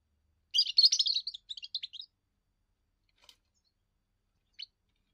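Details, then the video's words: Young European goldfinch giving its first song, sung to defend territory and attract females: a fast burst of bright, twittering high notes for about a second, then a few short chirps trailing off into near silence. "first song of a young goldfinch amazing wonderful singing"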